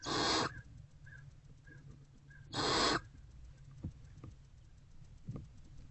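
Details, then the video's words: Hungry barn owlet in a nest box, eating a rodent on 29 February 2024 in the early afternoon, gives two harsh, hissing rasps about two and a half seconds apart, with faint clicks and a low hum between them. "Hungry Barn Owlet Eating Rodent"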